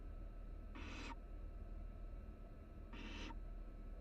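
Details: Barn owl nestlings, three chicks huddled in a Florida nest box at the University of Florida, produce two rasping hiss bursts about two seconds apart against a constant low background hum.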